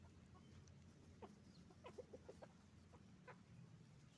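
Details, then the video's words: Roosters and hens on a chicken farm giving a loose series of low clucks, bunched in the middle, over a strong low rumbling background. "the sound of a chicken farm, roosters and hens making noise"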